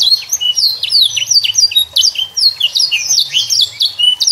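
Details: Juvenile canary delivering a varied song meant to make young canaries sing: quick high falling whistles and rolling trills in dense bursts, faint low hum underneath.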